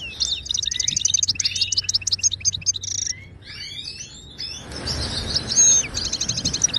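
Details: Widani-style song of a Moroccan goldfinch, meant for teaching caged birds: a dense run of high trilled notes, then descending slurred whistles, a steady hiss in the background, and a final rapid trill.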